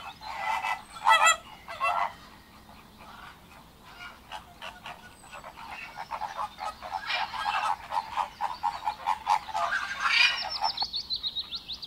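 Nasal, goose-like honks from flamingos, a few loud ones early, then a busy run of overlapping grunting calls from several birds, over a steady background hiss.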